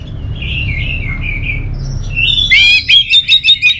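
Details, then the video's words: Orange-headed thrush song opening with gentle, wavering whistles, then breaking into a louder rapid series of bright, rich whistled notes repeated in quick pulses over a steady low hum. "Suara ANIS MERAH Ini"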